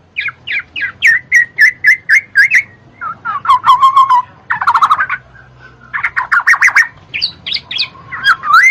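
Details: Black-naped oriole sound aimed at stimulating lazy birds to sing: evenly repeated clear whistled notes, then a slurred descending phrase, dense chattering bursts and further rhythmic whistles.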